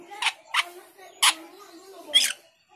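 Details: Male cucak keling calling a rival: four loud, harsh, rasping squawks in under three seconds, each a short broadband burst, with a faint low hum underneath.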